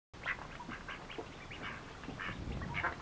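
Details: Mallard ducklings feeding eagerly, giving short high peeps in quick uneven bursts, some doubled, over a low rumbling background.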